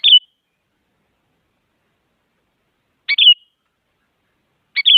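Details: Female sooty-headed bulbul calling to a male, used to encourage quiet birds to sing: three quick phrases, each a coarse burst ending in a clear falling whistle, separated by a three-second gap and then a shorter one.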